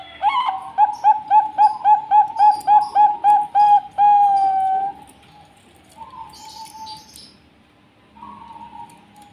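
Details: Zebra dove of the Bangkok type, singing: a fast run of about twelve short, hooked cooing notes, roughly four per second, ending in one drawn-out note, then quieter scattered coos afterwards.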